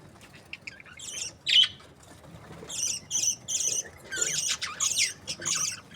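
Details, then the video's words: Breeding pairs of budgerigars, described as happy, chattering with bursts of harsh, buzzy squawks and chirps, one loud rasping note early, then dense overlapping chatter in rapid runs over the final three seconds. "Happy budgie chirping sounds | breeding pairs"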